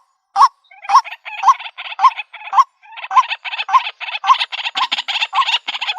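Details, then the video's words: Calls of a white-breasted waterhen, used as a lure for trapping birds in the country: several clear, hooked notes, then a denser, harsher run of rapid croaking notes of about two per second. "Bird Sounds White breasted Waterhen Bird ( Water Cock Soun)"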